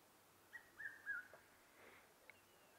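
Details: A Red-chested Cuckoo calls at sunset in November as a large storm blows in: three quick whistled notes that step slightly downward, over a soft background hiss.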